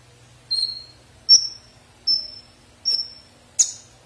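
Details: Konin singing a sequence of drawn-out, thin, very high whistles, each falling off gently, repeated at under one-second intervals and finished by a harsh buzzy note.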